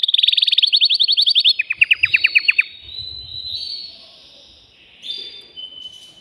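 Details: Male canary song aimed at rousing a female for mating: a fast high trill dropping into slower descending notes, then softer drawn-out whistles and fading warble.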